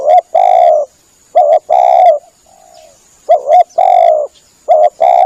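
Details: Spotted dove call used for luring doves: repeated phrases of a quick double note leading into a sustained mellow coo, three rounds, with a faint quieter coo between and a steady thin hiss.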